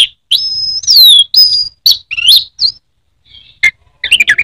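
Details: Indonesian anis merah (Orange-headed thrush) singing clear ringing whistles, some held and some sweeping downward, then buzzy twitters, a brief pause and a quick jumble of chips.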